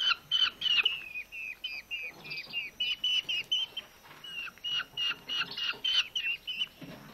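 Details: Rescued Eurasian hobby nestlings, two starving young found on a road in August during heat and drought, calling while being fed at a rescue centre in Dömös: a rapid series of high, thin, slurred calls with brief pauses and faint handling noise.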